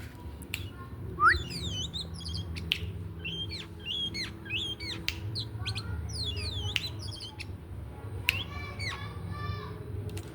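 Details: Oriental magpie-robin singing when ready to bathe: a dense run of sharp, varied whistled notes and squeaky, slurred chirps, some rising steeply, in quick bursts across ten seconds over a steady low hum.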